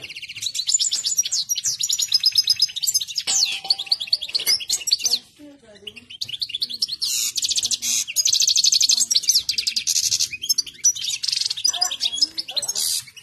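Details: European goldfinch singing in a highly excited state: dense, rapid twittering of high chirps, trills and buzzy rattles, briefly pausing mid-way with a few lower sounds before resuming an intense, continuous jangling stream.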